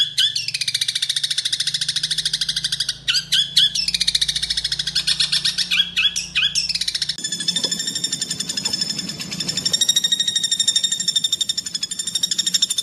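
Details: Greater green leafbird pouring out harsh, tightly packed rapid notes in long rattling bursts, later shifting to a fast, evenly pulsed high trill, as a training recording for leafbirds.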